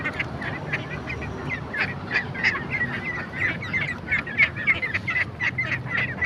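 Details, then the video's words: Ducks calling in rapid, uneven bursts of short nasal notes, several birds overlapping, with a low rumbling background throughout. "funny ducks sound"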